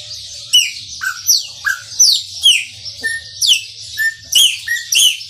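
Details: Chopi blackbird, maranhãozinho song: loud whistles alternating with sharp downward-sweeping notes and flat tones, evenly spaced about twice a second, over a low hum.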